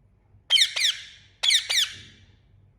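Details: Loud chirping from an Indian ringneck parakeet, two pairs of sharp, harsh notes that sweep downward, about a second apart, over a faint low hum.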